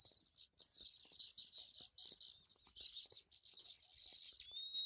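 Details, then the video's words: Dense, high-pitched twittering from many Baya weavers at a tree holding over fifty nests during the monsoon season, with a thin rising whistle near the end. "Baya weaver birds nest . Birds sounds rhythm"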